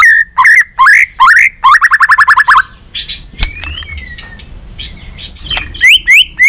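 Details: Competitive song of a white-rumped shama under training, tail flicking, many varied phrases: loud rising whistles, then a fast run of about eight repeated notes, a quiet gap with a soft sliding whistle, then upswept whistles.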